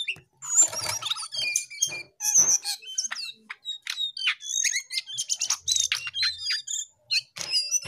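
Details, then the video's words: Lively gacor singing from a jongkangan: fast, varied high chirps, trills and sliding whistles in a continuous chattering flow. "Jongkangan GACOR"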